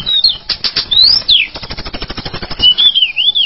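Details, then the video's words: Tledekan gunung bird calling with sliding whistled notes, some rising, some falling, then a wavering whistle at the end, mixed with long runs of rapid dry clicking and rattling. "SUARA BURUNG TLEDEKAN GUNUNG"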